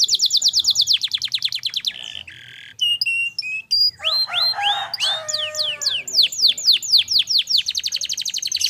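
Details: Canary song with a clear voice as a training recording: a rapid trill, short buzzy notes, pure whistled pips, then a run of sweeping slurs and a fast closing trill.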